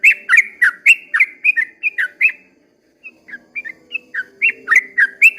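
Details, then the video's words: Yellow-vented bulbul dawn song, 'ropel panjang' style: lively gurgling notes in quick succession, a brief pause of half a second, then softer notes building back to a full liquid series. "kicau suara trucukan ropel panjang di waktu fajar"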